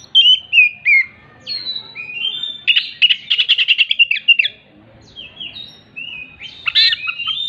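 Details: Oriental magpie-robin in full song with mimicked hen clucking after laying in its repertoire; varied whistled phrases, slurred up and down, broken by a rapid buzzy stuttering run of notes, then more clear whistles and a harsh burst.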